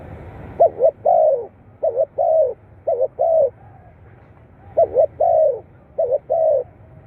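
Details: Spotted dove recording used to stimulate captive doves: low mellow cooing phrases, each a quick wavering double note followed by a longer drawn-out coo, repeated about every second with brief pauses.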